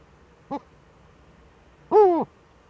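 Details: Eurasian eagle-owls in the Eifel, Germany, 11 March 2013 at 18:47, with both owls back: a brief harmonic note, then a hoarse, arched call rising and falling over about a third of a second, in quiet surroundings.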